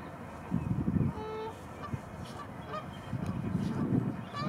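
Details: Arctic geese with their chicks among millions of white flowers; short nasal honks at intervals over low rumbling background noise, with faint higher chirps from other birds.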